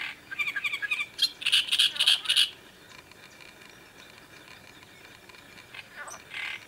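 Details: Harsh, chattering song of a great reed warbler by the Sviyaga River in late May 2017. Squeaky, grating syllables in a fast series for over two seconds, then near silence with a faint rasping note at the end.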